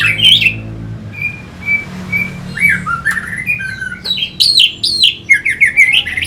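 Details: Lure song of an orange-headed thrush for provoking fighting birds: a few thin level whistles, then quickening bursts of looping, warbled notes toward the end, with a soft low hum behind.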